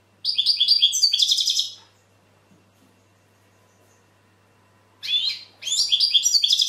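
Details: European goldfinch singing: two bursts of rapid, high tinkling twitters and buzzy trills, the first about 1.5 seconds long, the second starting after a pause of roughly three seconds; low steady hum beneath.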